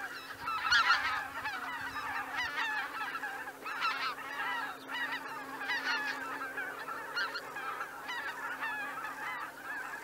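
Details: Greater white-fronted geese taking off from the roost at Miyajima-numa, 2023. Many overlapping nasal, yelping honks rise and fall in bursts over a busy background chorus of more distant geese, with a faint steady low hum.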